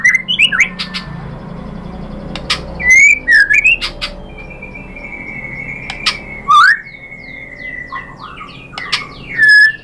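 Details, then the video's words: White-rumped shama, a lure recording meant to make other shamas answer, with loud whistled phrases and sharp chip notes in bursts, a long steady whistle and rising slurs between quieter gaps. "MURAI BATU jadi ikutan NYAUT GACOR BONGKAR MATERI ISIAN ¦ PANCINGAN MURAI ¦ SHAMA BIRD"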